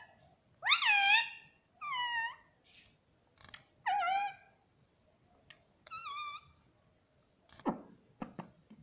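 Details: Pet green ring-necked parakeet talking indoors: five loud, wavering, voice-like harmonic syllables spread over about six seconds, separated by short quiet gaps, followed by a few soft clicks and thumps.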